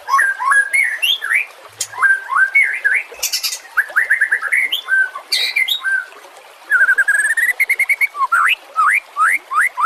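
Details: White-rumped shama song used to train other songbirds: varied upslurred whistles mixed with harsh high bursts, a fast even trill of repeated notes, then crisp rising whistles spaced about half a second apart.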